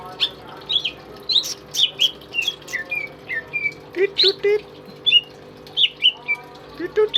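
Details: Pet greater green leafbird, tame and in full song, used to train other songbirds, delivers quick varied whistles and sharp chips. Some notes swoop upward, others fall, in a busy stream with a faint low hum behind.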